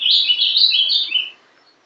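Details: Ultramarine grosbeak (Passerina brissonii), a young captive-bred ringed bird hatched 11 December 2012, singing in the Paraná style: a brief fluid run of warbled, rising and falling notes lasting just over a second, clean and unaccompanied.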